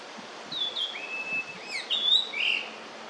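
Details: Yellow-billed grosbeak, a summer visitor to Korea, singing in early May 2024: a sweet phrase of clear whistled notes, some gliding down and some held level, ending in a brighter burst, over faint background hiss.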